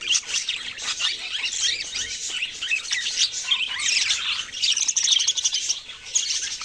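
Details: Loud, nonstop budgerigar chirping, many short high twitters and buzzy warbles overlapping in a dense, lively chorus.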